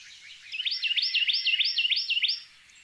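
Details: A blue grosbeak in an Alabama backyard on May 23, 2022 sings a quick warbling phrase of about eight rich, rising-and-falling notes lasting under two seconds, over faint background hiss.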